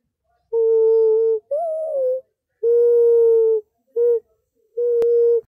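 Mourning Dove giving a low, soft, hollow cooing: a steady opening note, a wavering slurred note, then three long even coos. No other sounds.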